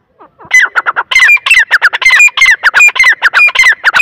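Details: Loud, rapid grey francolin (teetar) calling: harsh, squawky notes tumbling one after another, each bearing a bright slurred whistle, kept up steadily for about four seconds.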